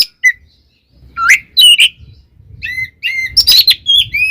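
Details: Oriental magpie-robin singing a fighting song meant to provoke rival magpie-robins: loud whistled notes and slurred rising phrases mixed with harsh bursts, broken by short pauses, faint low rumble beneath.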